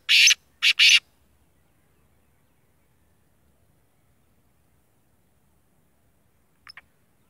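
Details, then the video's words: Black francolin, described as a full black 'sheedi' bird, calling: three loud, harsh, grating notes in quick succession, followed by a long silence and two faint short clicks near the end. "kala tetar awaz"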